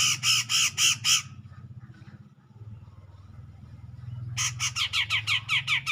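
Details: Grey-cheeked bulbul singing to provoke a rival: two bursts of loud, harsh repeated notes, about five notes each, separated by a quiet gap filled with low background rumble.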